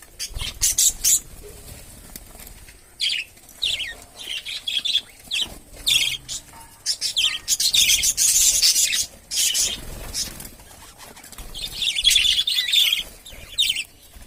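Budgerigars chatter in quick, scratchy chirps and warbles, with bursts of wing flutter.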